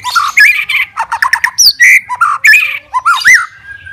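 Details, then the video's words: White-rumped shama, a fighter bird singing to provoke rivals: choppy run of varied chirps, short whistles and rising-falling slurred notes, delivered fast and loud with tiny gaps. "CARI LAWAN,, MURAI BATU SUPER FIGHTER,, BIKIN LAWAN AUTO EMOSI BINGKAR MATERI"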